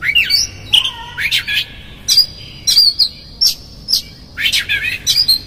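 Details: Lure song of an Oriental magpie-robin for provoking another bird: loud varied phrases mixing clear sustained whistles with rough chattering notes, delivered in short bursts with brief pauses, clean background.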